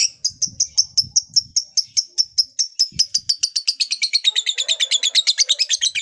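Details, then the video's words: Long lovebird 'ngekek' trill meant to make listless lovebirds eager to sing: a rapid, even string of high pulses lasting the full six seconds, growing fuller and louder near the end. "LOVEBIRD LOYO DIJAMIN JADI SEMANGAT BUNYI LAGI, Setelah Mendengar Suara Burung Lovebird Satu Ini"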